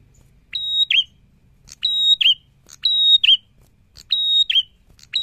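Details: Prinia in full voice, delivering its phrase roughly once a second: a held, high, pure whistle, then a dipping, slightly buzzy end note. Five phrases in a row.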